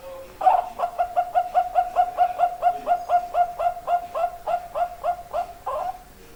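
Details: Zebra dove in full song, giving a long steady run of evenly spaced soft coos, about four a second, that lasts around five seconds before stopping.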